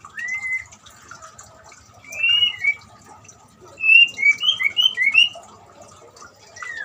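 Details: White-rumped shama song, used to coax a silent shama into singing: short clear whistles rising and falling, one at the start and then a fast run of five or six bright notes near the end, with a faint hiss behind.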